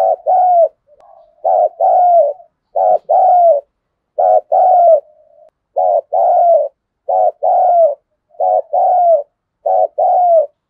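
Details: Decoy spotted dove with a full set of thúc, gù and gáy gọi in the thunder-voice style. A steady series of about eight paired coos, a brief pulsed note then a longer gliding tone, roughly every 1.3 seconds.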